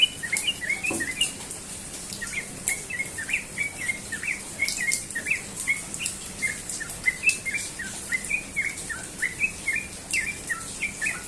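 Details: Sooty-headed bulbul singing in the morning in the fast ropel style: short bright chirping notes repeated in quick runs throughout, with a faint steady hiss behind them.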